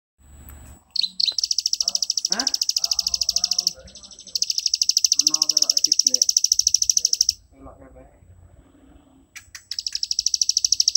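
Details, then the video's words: Plain prinia in the 'ngebren' style, kept as a master song for training birds: long bursts of rapid, buzzy, high-pitched notes repeated about three per second, with pauses between. Faint low murmuring and rustling fill the gaps. "ciblek sawah ngebren cocok buat masteran"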